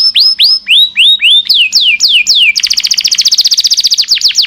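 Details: Long canary song of the kind used to tutor caged birds, opening with slow, clear, descending swept whistles, then switching to a very rapid, even trill of short high notes, ending in a few swooping whistles.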